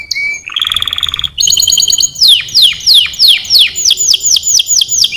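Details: Canary song beginning with a steady whistle and a low buzzy trill, then slower, loud sweeping notes that fall steeply, repeated about three per second.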